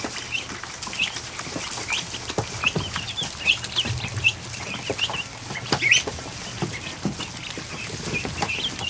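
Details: In the afternoon, 100+ ducklings hatched only 18 to 36 hours earlier crowd a kiddie pool in a barn, peeping at once in many high, thin, overlapping calls, with splashes and knocks in the background.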